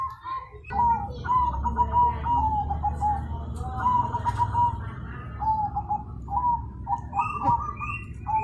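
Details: A zebra dove coos loudly in a long sequence of rolling, trilled phrases with brief gaps, ending with higher short notes, over a steady low hum.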